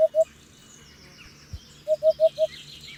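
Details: Hoopoe hooting: a pair of low, hollow notes, then a quicker run of four, with faint chirps of other birds and a brief thump.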